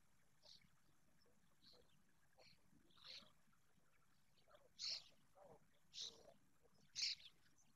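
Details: In Spain on 16 July 2024, young long-eared owls give high, hissing squeaks about every second or two, a few soft and then three louder ones, against a faint background hum.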